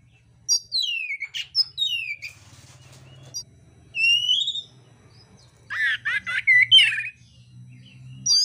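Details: Oriental magpie-robin in contest song with rough mimicked material, spaced into short phrases: falling sliding whistles, a drawn-out descending whistle, then a cluster of harsh, crackling rasping notes, with a steady low hum in the background.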